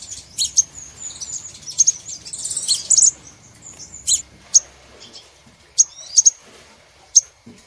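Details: Lure call for catching crimson sunbirds, scattered sharp high tsip notes and brief twitters with a short buzzy burst early on, then spaced single chirps.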